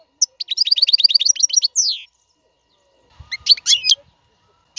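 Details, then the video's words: Royal European goldfinch singing to tutor caged chicks: a quick series of repeated high chirps ending in a downward buzzy slur, then after a pause a few more twittering notes. "اقوى تغريد الحسون. لتعليم فراخ القفص"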